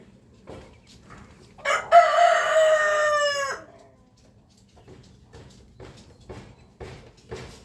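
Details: Rooster crowing, one of a compilation of different roosters crowing in the morning: a single loud, harmonic crow lasting about two seconds that holds steady, then drops away at the end, with faint scattered ticks and clucks around it.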